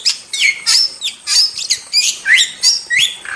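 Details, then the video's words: Jalak (wild starling) singing for a masteran: quick sliding whistles that swoop down then up, interspersed with harsh squawks, about three notes each second, steady and loud. "Masteran Jalak Super Gacor – Ultimate Wild Starling Sound Effect"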